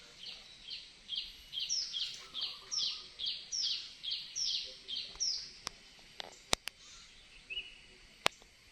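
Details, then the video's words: Red-whiskered bulbul giving a run of about eleven short, bright, rising chirped notes repeated steadily over five seconds, then falling quiet amid a few sharp clicks and knocks and a soft background hiss. "suaranya burung merah"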